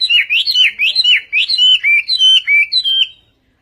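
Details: Chinese hwamei song in Vietnamese style, a fast run of clear whistled notes swooping up and down, about four per second, ending abruptly.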